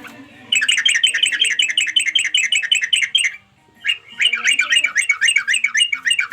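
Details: Harsh, rapid chatter from a sooty-headed bulbul calling companions: a long fast string of scratchy notes, a short pause, then another quick run.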